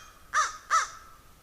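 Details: Two harsh, rasping caws from a crow in quick succession, uttered as a squirrel goes after a raven.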